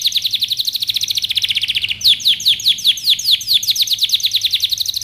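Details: Canary song in two parts: a fast run of short high chirps, then slower, louder notes that each slide downward, repeated about three times per second without a break.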